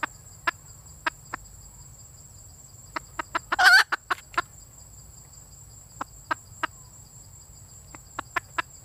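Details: Female red junglefowl giving scattered short, sharp clucks, sometimes in quick runs, with one brief loud harsh squawk in the middle. Pauses between the clucks leave a steady high insect drone.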